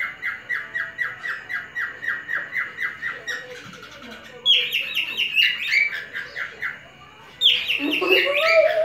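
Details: Captive male cockatiel whistling to tease a female: a long run of rapid, evenly repeated chirped notes, then louder, higher warbled whistles with squawky bursts, and a steady low hum underneath.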